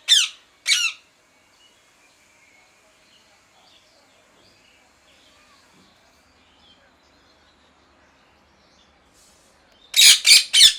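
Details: Parrot giving a pair of harsh screeches, then a long near-silent stretch with faint background murmur, before a closing burst of three loud, rasping squawks.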